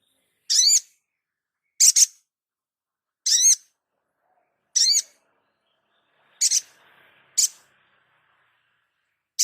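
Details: Crimson sunbird (sogon) master recording used for training: single high, wavering chirps repeated roughly every one to one and a half seconds, each note bright and piercing.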